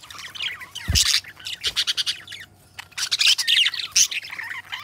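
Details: Pet budgerigars, a pair of companion budgies, chattering busily: dense bursts of warbled, scratchy chirps and squawks, with short high notes repeated in quick runs and a brief quiet gap near the middle.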